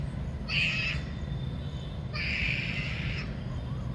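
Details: Indian peafowl male dancing for a peahen in rain season: two loud, strained, nasal wailing calls about a second long, spaced roughly one and a half seconds apart, against a continuous low rumble.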